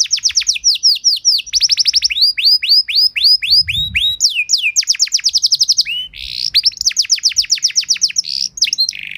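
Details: Canary training song, masteran and pancingan from Indonesia: a long, varied run of rapid descending whistles, rising sweeps and fast trills, continuous at about four notes per second.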